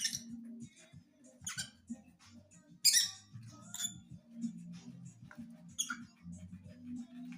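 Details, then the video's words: Pet lovebird singing indoors: short, sharp, high squeaky chirps in scattered bursts, one louder burst near the middle, over a steady low humming tone in the background. "Meu agapornis cantando"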